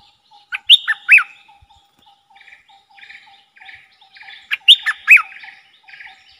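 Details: Fired-up lure bulbul facing off with wild rivals sings two rich, gurgling whistled phrases with steep rising and falling notes, linked by softer raspy chirps over a faint, steady low hum.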